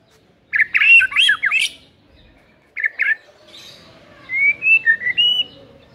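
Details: White-rumped shama provocation material meant to stir a lazy bird. A dense chattering burst, then a short two-note phrase, and finally a clear series of pure rising whistles that step up in pitch.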